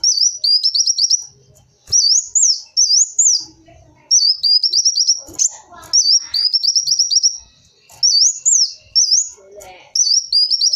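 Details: Kolibri wulung sunbird singing, a recording meant to attract sunbirds: very high zigzag whistled phrases alternating with short trills, repeated in bursts with brief silences and faint low noises beneath.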